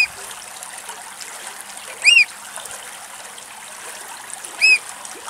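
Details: A Eurasian oystercatcher in Greece, feeding on a snail it is prying from its shell, gives two loud, shrill piping notes, each arching up then down, about two and a half seconds apart, over a steady trickle of water.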